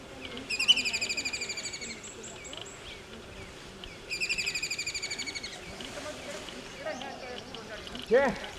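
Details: Kingfisher, called khandya in Marathi, giving two rattling bursts of rapid, harsh, descending notes, each lasting over a second, separated by a pause, with a lower squeak near the end and background noise.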